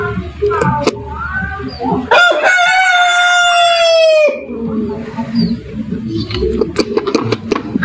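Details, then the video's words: A rooster in a yard gives one long, clear crow lasting about two seconds. It is held on a steady pitch with strong overtones and then drops away. Scattered clucks and clicks come before and after. "ROOSTER CROWING"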